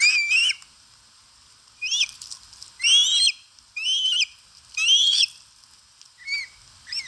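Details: Osprey at a nest in Satakunta, Finland, on a live nest camera, 4 August 2022, while eating: six bursts of shrill, rising whistled yelps with sharp upslurred notes, spaced about a second apart. Some faint clicks between calls.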